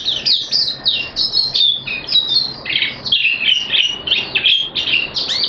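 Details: Oriental white-eye from Malaysia, kept as a hobby songbird, pours out a nonstop jumble of bright, squeaky chirps and short whistled trills, all high and thin, recorded 25 February 2023.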